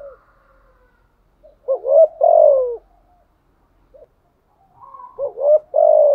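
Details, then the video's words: Decoy spotted dove in 'giọng thổ' voice, cooing continuously. Two full phrases of short rising notes and a long, deep, falling coo are separated by faint soft notes and a quiet stretch. "chim cu mồi thúc gù liên tục"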